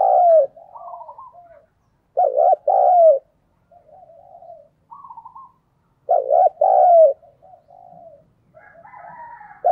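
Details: Decoy spotted dove cooing to lure and stir up wild doves. Loud paired hollow coos recur at about two-second and six-second marks, separated by softer, quavering lower notes and brief higher trills, in a quiet setting.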